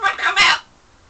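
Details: Parrot kept indoors in London, flirting with its reflection and with birds beyond the window, gives a loud, close, raspy babbling burst of two or three harsh syllables, then quiet.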